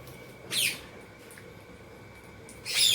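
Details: While eating in a happy mood, an Indian ringneck parakeet lets out two sharp, piercing high screeches two seconds apart, the second still rising at the end, with a faint hum behind.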